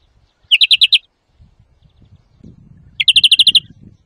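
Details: European greenfinch song used for trapping and song training: two strong bursts of rapid, ringing trilled notes, five then eight quick repeated elements, separated by a pause with soft low rumbling.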